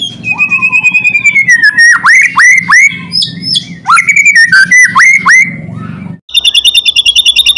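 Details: White-rumped shama loud song to provoke other shamas into singing: long slurred whistles broken by steep downward swoops, then a fast, evenly repeated buzzy rattle at the end.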